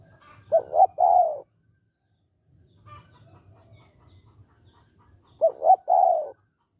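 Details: Spotted dove in the 'hạp bổi' voice style, used to prompt males to call quickly: two short, throaty coos then a longer, falling coo, the three-part phrase given twice about five seconds apart over a faint low hum.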